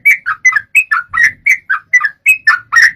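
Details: Lure recording of sooty-headed bulbul meant to get a bird singing. Quick paired whistled notes, each a sharp high note dropping to a lower one, repeat steadily about four times a second.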